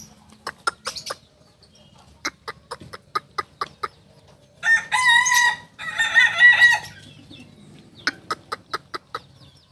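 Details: Solok native singing chicken, the Kokok Balenggek, crowing in the landiak class. Two rough, stuttering crow bursts in the middle are framed by rapid sharp clicking pulses before and after.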